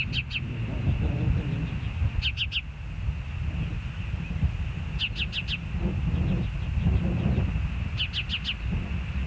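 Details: Hellgate osprey calls from a live nest camera, 06/04/2024, 13:10: shrill whistled chirps in bursts of two, three and four, repeating roughly every three seconds above a constant low rumble.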